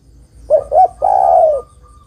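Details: Zebra dove female calling to a male, used to stir a reluctant male: two short notes, then a long, steady coo, followed by a thin faint tone.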